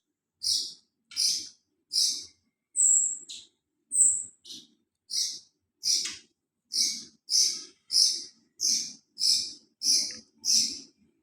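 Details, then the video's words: Golden-bellied gerygone (rio rio) singing in the teler konslet style: a steady string of short, high, sharp notes repeated about every three quarters of a second, with two thinner, higher whistled notes near the start. "rio rio teler konslet"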